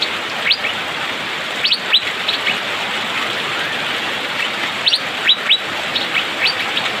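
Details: Asian fairy-bluebird in rainy-season song: short clusters of two or three sharp rising whistles separated by pauses, set against a steady background hiss of rain.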